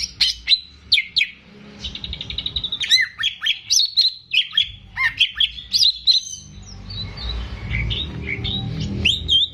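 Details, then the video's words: Caged greater green leafbird singing vigorously to stimulate untrained birds: fast runs of bright whistles and chips, a rapid trill near two seconds, then varied slurred notes, fading into softer chatter toward the end. "CUCAK IJO GACOR || PAS BUAT PANCINGAN BURUNG BAHAN"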